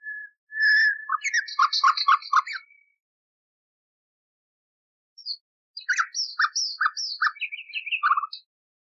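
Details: Nightingale singing in an old restored recording meant for tutoring canaries, two phrases: a pure whistled note opening into a fast series of deep rhythmic chooks with high trills overhead, a silent gap, then a similar rapid choppy phrase.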